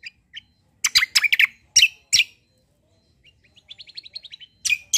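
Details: White-eye called kecial kombo, a fighter bird in peak form suited for song training: bursts of loud harsh chirps, a pause, then a soft rapid trill of high ticking notes and a final loud chirp.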